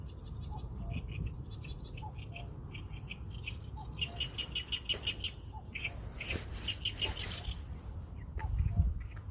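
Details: Birds chirping, with a rapid evenly spaced string of bright repeated notes in the middle, softer scattered calls around it, and a low steady background hum.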